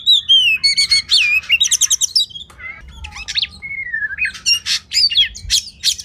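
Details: Kacer masteran for training competition birds: an Oriental magpie-robin gives a short series of descending whistles, rapid stuttering trills, then a long sliding whistle and sharp scratchy notes.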